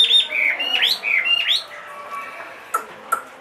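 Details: Caged Chinese hwamei, 2.5 years old and large-bodied, said to sing anywhere, gives loud rising and falling whistled phrases, each swooping upward, repeated about twice a second, then fades into softer notes with a couple of sharp clicks.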